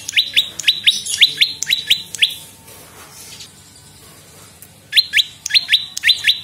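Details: Prenjak lumut, olive-backed prinia, used as a lure and tutor song: two runs of rapid sharp high chips, about two per second, broken by a quiet gap of nearly three seconds.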